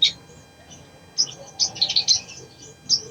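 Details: Crimson sunbird song used to get a lazy bird singing: a sharp high chirp, a pause, then a quick cluster of thin twittering notes and one final high chip.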